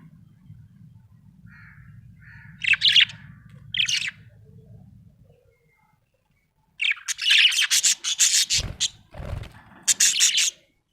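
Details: Happy budgerigar chirping: a low hum in the first half, two short bright chirps near the start, then a dense run of rapid broadband chatter and chirps after a brief silence.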